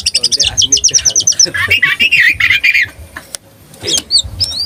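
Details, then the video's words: Tame oriental magpie-robin, tail spread, singing to stir rivals' emotions: a quick run of high repeated chirps slides into lower warbling notes, then a short gap and a few sharp whistled calls. "Kacer gacor jinak buka ekor"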